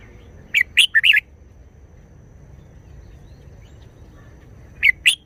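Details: Red-whiskered bulbul singing in wild-song style with short, busy phrases: three rapid liquid chirps, a four-second pause, then the same lively trio again.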